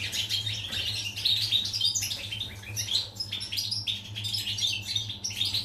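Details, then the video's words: Pied European goldfinch singing, recorded 14 July 2019. Dense high twittering phrases broken by short pauses, with scratchy buzzes mixed into the bright chirps and a low hum throughout. "Chardonneret , El jilguero,bird , cardellino pezzato"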